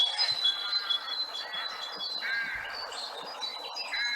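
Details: A great tit (Parus major) sings in woodland, giving high, ringing two-part 'teacher, teacher' notes repeated briskly, with rooks cawing and other bird chatter in the background.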